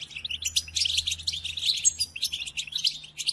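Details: Short burst of European goldfinch training song for captive birds: hurried, high, jingling twitters and fine trills, tightly packed with barely any gaps.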